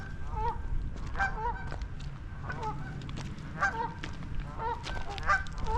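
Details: Several Canada geese at a marsh on the Camden East Alvar, 29 April, on a mild, windy, increasingly cloudy spring morning, honking repeatedly with loud nasal two-part calls overlapping every second or so, over low rumbling wind noise.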